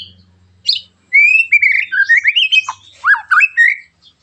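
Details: White-rumped shama delivering harsh, sharp song meant to make other shamas sing: rising and falling whistled phrases, warbled slurs and dipping notes, with a faint low hum at the start.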